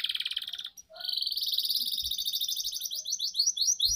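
A canary sings a long, fast run of high trills and rapid repeated notes, broken by one brief pause, with a faint low thump at the end.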